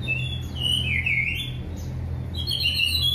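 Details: An orange-headed thrush sings a relaxed, open, sweet, varied warble of sliding, slurred high phrases, pausing briefly midway. A steady low electrical hum runs underneath.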